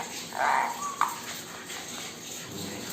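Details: Pet male Indian ringneck parakeet, indoors, dancing and singing with its owner; one brief harsh squawk, then a short sharp chirp, followed by quiet room sounds.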